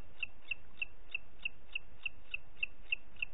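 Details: Booted eagle calling in Parc Natural dels Ports on 30 June 2021 at 11:01: a fast series of about eleven short, high, clipped notes, roughly three per second, over faint low background rumble.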